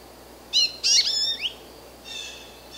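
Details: American goldfinch (Spinus tristis), call.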